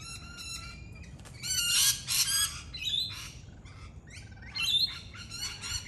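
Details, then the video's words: Australian lorikeet parrot squawking in quick succession, a busy run of loud, grating screeches and chattering notes packed closely together, with brief pauses between clusters. "Native Australian Birds Lorikeet Parrot Sounds"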